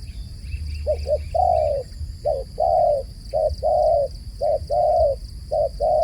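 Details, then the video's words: Repeated dove calls, each a quick double hoot leading into a drawn-out even coo, steady and mid-pitched, with faint chirps from another small bird early on and a low rumble underneath. "សំឡេងលលកហៅបរច្រើន The sound of a dove calling"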